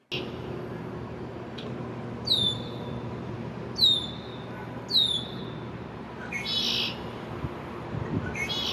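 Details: Young male Red-winged Blackbird, first spring, visiting a downtown backyard on May 1, 2024, flits from spot to spot staking his territorial claim. Three clear descending whistled slurs are followed by a harsh buzzy burst and another buzz at the end, with steady low hum behind.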